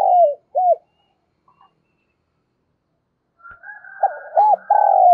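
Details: Decoy spotted dove coo, 'giọng thổ' voice style, used to lure wild doves: two short arched coos open the clip, then after a pause a buzzy murmur leads into a phrase of looped coos and a long level drawn note.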